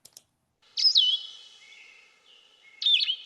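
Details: Blue-headed Vireo, a forest bird, singing two clear, sweet, buzz-free musical whistled phrases, slurred up and down and widely spaced, with a pause of about two seconds between them.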